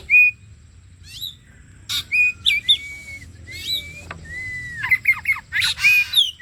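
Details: Oriental magpie-robin song played as bait to prompt kept birds to sing: clear whistled notes held level or sliding, scattered harsh buzzy bursts, and quick rising-falling whistles toward the end.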